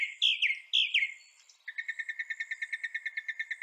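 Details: Song of a northern mockingbird, Mimus polyglottos, from North America: two loud slurred falling notes, then a long, even series of quick repeated chips at about two per second.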